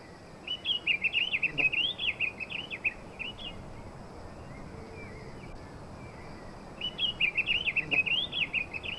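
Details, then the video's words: Fawn-breasted tanager in the wild, singing two bursts of quick, high, warbled notes, each lasting about two and a half seconds and separated by a pause of several seconds, over a steady background hiss of insects and environmental noise. "SANHAÇO FRADE NA NATUREZA"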